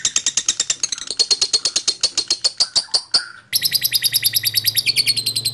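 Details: Lovebird singing, recorded as a lure to make other lovebirds sing. A long series of rapid, sharp chirps repeated several times a second, with a brief break, then a second equally fast, steady run of chirps.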